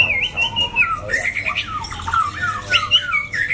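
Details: Competition white-rumped shama with a loud, harsh, changeable voice pours out fluid whistled phrases sliding up and down, with quick rising and falling notes and a low hum behind.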